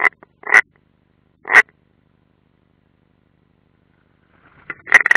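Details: European rollers, one of them unringed, on a live nest camera at the Ādaži military training area in Latvia, 30 June 2016: four rasping, harsh calls in two groups, separated by a silent stretch.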